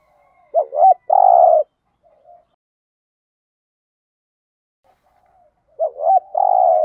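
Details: Spotted dove calling in the 'thổ đồng' style, used to stimulate decoy doves: two phrases, each a quick double coo followed by a long flat coo, separated by about four seconds of near silence.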